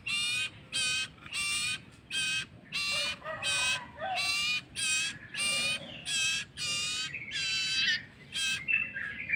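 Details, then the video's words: Common iora nestling calling while a person feeds it by hand, pouring out a fast run of coarse, buzzy begging notes about twice per second, mixed with brief thin whistled notes from another bird. "MEMBERI MAKAN ANAK BURUNG SIRTU ATAU CIPOH"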